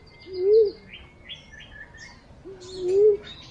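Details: Green pigeon call used as a lure: two low, warbling whistled coos about two and a half seconds apart, under scattered higher chirps and twitters of other birds.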